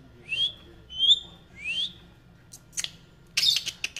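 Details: Talking pet rose-ringed parakeet repeats three bright rising whistles about seven tenths of a second apart, followed by scattered clicks and a short harsh squawking burst.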